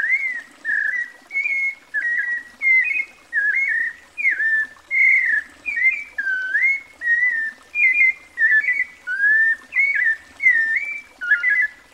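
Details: Sabiá-coleira, the White-necked Thrush, delivering rapid back-to-back melodious phrases of varied whistles and slurred notes, about fourteen in twelve seconds, rising and falling; soft background chirps from other birds.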